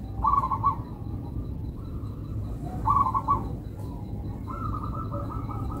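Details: Local zebra dove song: short bursts of rapid, rolling coos, repeated at uneven intervals, with the last phrase drawn out longer. The song sounds fairly distant over a steady low rumble of background noise.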